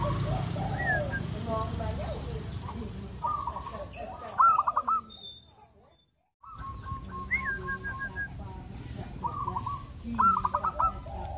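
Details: Zebra dove cooing used as a training recording for peaceful doves: short stuttering, trilled phrases and a quick rising whistle repeated every couple of seconds, over a low rumbling background with a brief break.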